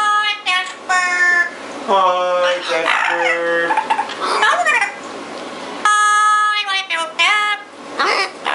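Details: Captive pet double yellow-headed amazon singing indoors after growing jealous while its owner recorded a macaw; loud tonal, harmonic-rich whistles and warbling phrases, some rising and falling, mixed with a person's voice nearby.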